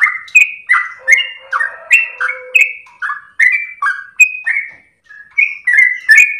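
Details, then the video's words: Sooty-headed bulbul delivering a melodious training-master song: bright whistled notes with dips and rises, quick pace, a faint low hum beneath some notes and a short pause near the end. "trucukan gacor lagu MERDU ropel nafas panjang TERBAIK buat masteran pancingan"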